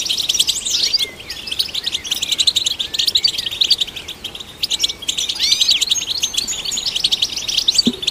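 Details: Rapid twittering of a European goldfinch, its song meant to stimulate other goldfinches. Dense bright chirps and quick slurred notes pour out in a continuous stream, with a brief quieter dip in the middle.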